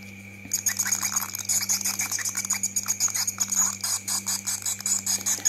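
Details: Swiftlets keep up a dense, high, rapid twittering of overlapping chirps and clicks, a colony circling outside the building, over a steady low electrical hum and a faint constant tone.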